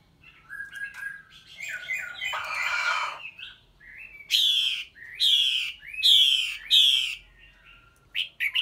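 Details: Female red-whiskered bulbul, after three moults, calling hard to stimulate a male: quick whistled notes and a noisy scratchy burst, then four loud harsh rasping notes about a second apart, ending with short chirps.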